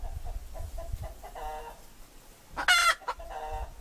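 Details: Hen vocalising with a run of soft, evenly spaced harmonic clucks, then one loud raspy squawk near the end and a few softer notes after it; low rumbling background noise underneath.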